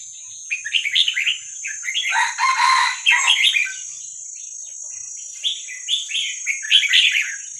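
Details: Wild Vietnamese-type young red-whiskered bulbul, recorded to train young birds: rapid chirpy warbling with a louder, harsher broad burst near the start, then more bright twittering phrases toward the end over a steady hiss.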